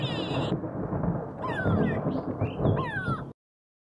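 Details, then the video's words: A grey go-away-bird gives nasal, drawn-out calls that slide downward, a few in quick succession, over a heavy low rumble of wind or handling noise. "Grey go away bird"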